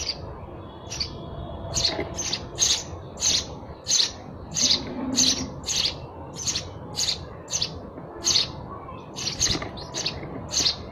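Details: Sparrow chirping: short broadband chirps centred high, repeated roughly every half second in an uneven series over eleven seconds, with a steady low background hum.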